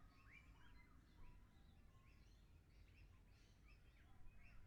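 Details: Several lorikeets captured in 360 VR give short, rasping squawks in quick succession, scattered across the recording over a constant low hum.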